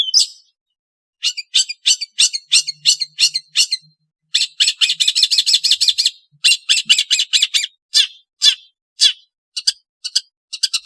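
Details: Long-tailed shrike producing irregular runs of harsh, scratchy chattering notes, some in rapid dense bursts, with short gaps between series.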